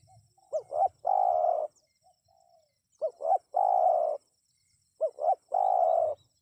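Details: Spotted dove call played to draw wild birds into responding: three phrases, each two short looping notes followed by a long, steady, throaty coo, repeated about every two and a half seconds, with a faint high hiss behind.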